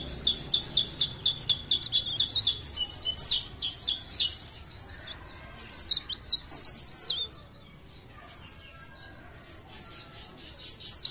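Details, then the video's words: Leaf warbler from Pare Pare, called cikrak daun, in energetic blereng song: long strings of rapid high chips and warbled whistles, a brief quieter gap, then more chattering phrases. "CIKRAK DAUN | PARE PARE | BLERENG GACOR"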